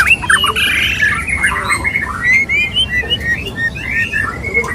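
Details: White-rumped shama mating sounds, a male courting a female, give busy, overlapping squawks and sharp chirps at mid to high pitch, one phrase after another, over a low rumble.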